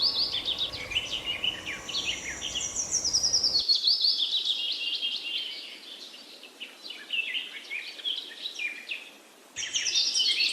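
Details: Bright, overlapping bird chirps and fast twitters come in two bursts with a quieter gap between them. The chorus fades during the gap, then returns loudly at the end.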